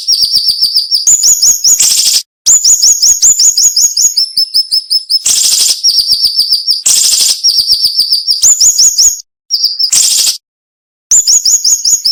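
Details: Cinnamon-bellied flowerpecker song used as tutor material for cage birds, described as sharp, tight and with short pauses. Repeated runs of high, thin notes are interspersed with harsh buzzy bursts and cut by several silent gaps.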